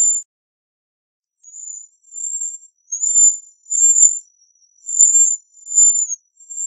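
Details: Bohemian waxwing voicing a chain of high, thin, wavering trills, each lasting about half a second and repeated roughly once a second.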